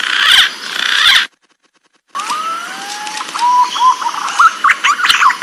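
Green pigeon giving soft, wavering whistles that slide up and down, several in a row after a brief burst of rustling noise and a short silence.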